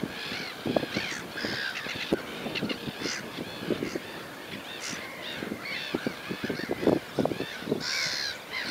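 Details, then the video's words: Sand martins calling, with many short, upslurred chirps overlapping in a busy twittering chorus. Scattered low knocks and thumps sound underneath. "Sitari de mal"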